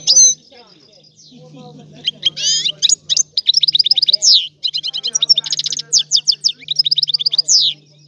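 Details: Sicilian European goldfinch in a rare, old-style song: tinkling twitters building into fast, regularly repeated metallic notes and buzzy slurs, over a steady low electrical hum.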